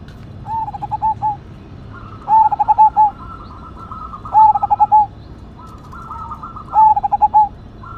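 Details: Zebra dove of the cemani majapahit type, a kept perkutut cooing loudly: phrases of clear, low, hollow coos in rapid runs of three to four notes, repeated about every two seconds, with softer trilled coos between phrases.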